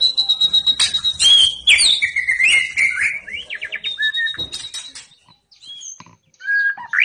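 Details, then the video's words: White-rumped shama singing, described as having fighting spirit and ready for contest; varied whistled phrases around mid-high pitch mixed with buzzy, harsh notes and rapid trills, then a pause before short whistled notes resume. "Ciri-ciri MURAI BATU mental fighter dan siap dikonteskan"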